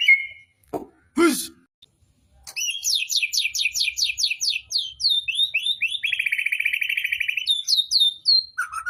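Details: Magpie-robin singing at a songbird contest, in full voice and showing off its learned repertoire: after a couple of brief noisy bursts, a rapid series of high, repeated chirping notes, then a long buzzy rattling trill and sharp whistled phrases.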